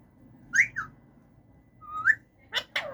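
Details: Caged male Alexandrine parakeet whistling: a sharp rising-falling note, a pause, a long upslurred whistle, then two harsh rasping squawks, over a steady low room hum.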